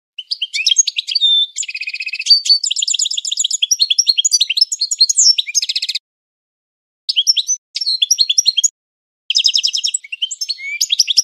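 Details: Classic-style training song of a European goldfinch, a dense run of rapid twitters, buzzy rattles and liquid chirps, high-pitched throughout, broken by short silences near the end; no background noise.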